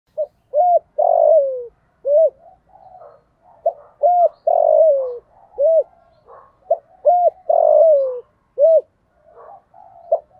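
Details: Decoy spotted dove with a 'giọng thổ' voice calling to lure other doves: repeated phrases of short arched coos ending in a long falling coo, interspersed with softer scattered notes, roughly every three seconds.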